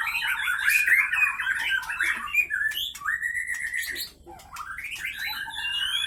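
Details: White-rumped shama from Pining, Gayo Lues regency, Aceh, kept in a cage and fighting; dense burst of sharp chattering notes, then clear rising whistles, a brief pause, and more upward-sweeping whistled phrases.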